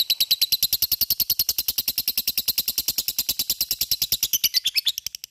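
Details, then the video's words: Sustained ngekek from a lovebird, a fighter and gacor style meant to spur other lovebirds to sing: a dense, rapid, metallic chatter of steady pulses that fades slightly near the end. "Sekali denger LOVE BIRD akan trpancing untuk ikut ngekek fighter dan gacor"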